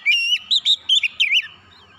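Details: Oriental magpie-robin giving a loud calling cry. Four bright whistled notes, each bending up and down, come in quick succession over about a second and a half, then fade, in a quiet setting.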